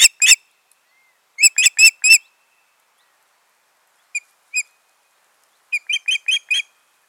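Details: Pair of ospreys together at the nest, June 14, 2019, calling in short series: two yelps, a run of four loud piercing whistles, two isolated soft notes, then a final series of five sharp calls.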